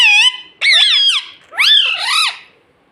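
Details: Talking pet parrot that mimics words like mummy, papa and mitthu gives three loud, nasal, speech-like squawked phrases, each wavering up and down in pitch, separated by brief gaps.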